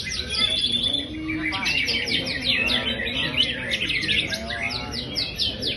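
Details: Energetic Greater green leafbird song from a bird billed as a champion: a busy, chattering cascade of sharp chirps, slurred whistles and trills that never stops, over a steady high-pitched hiss and some faint low background sound.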